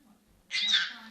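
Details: Pet Senegal parrot indoors, a single brief hoarse, breathy squawk of about half a second; a person nearby keeps repeating "hands up".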